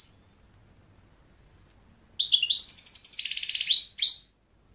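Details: Goldfinch song: after silence, a two-second stream of bright, liquid twittering notes and harsh buzzy trills, varied and fast, stopping suddenly.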